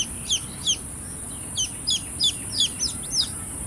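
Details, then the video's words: Baby chicks chirping with scattered, high, down-slurred peeps in small bursts, about eight over four seconds. A steady high hiss runs underneath. "Cute Baby Chicks Chirping Sounds"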